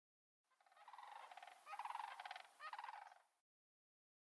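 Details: A far-off pair of sandhill cranes give resounding, rolling, rattling bugles for about three seconds near a restored creek on an early August morning, rising and falling in loud bursts.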